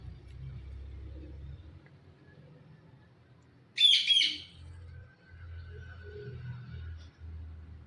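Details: Blue ringneck talking parrot with a single sharp, grating double shriek midway, set against steady low rumbling noise.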